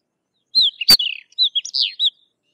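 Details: A bright Sykes's lark phrase of slurred, whistled chirps falling and rising, interrupted early by one sharp click, then continuing with varied high warbled notes.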